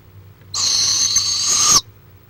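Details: Live-camera recording of a barred owl in Florida, March 23, 2015: one sustained, hoarse hiss-like screech of about 1.3 seconds, even in pitch until it cuts off, with silence around it.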